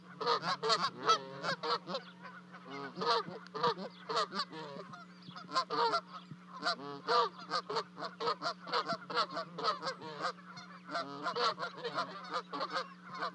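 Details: Canada geese on 12 May in Charlo, Montana, calling while two goslings drop from a 30-foot nest to reach mom and dad; long stream of rapid, repeated honks and yelps with a continuous low hum.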